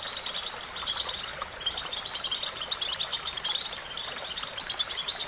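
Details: European goldfinch twittering song for training. Thin, high notes come in clusters roughly twice a second over a continuous hissing background.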